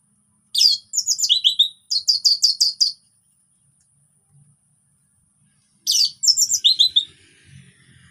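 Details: Relaxed song of an orange-headed thrush, played to coax non-singing thrushes into song: fast strings of sharp, high chirped notes in three bursts about a second long, separated by pauses, with a faint low hum.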